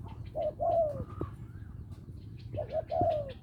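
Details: Spotted dove from Lopburi, Thailand, described as small-voiced and calling for a mate; soft, low cooing phrases with a clear rising-then-falling note, two bursts with a low steady hum behind.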